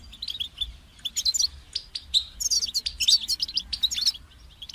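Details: Lively goldfinch song of sparkling high chirps and rapid liquid trills, phrases starting and stopping every second or so, with a faint low hum underneath.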